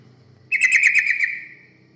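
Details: Yellow-vented bulbul giving a lure song to draw in other birds: a single rapid, gurgling run of notes that slowly fades into a thin trailing tone, over a low background hum.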